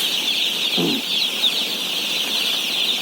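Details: Day-old chicks at feeding among 17,000 birds: steady high peeping chorus throughout, interrupted by one short low thud early on.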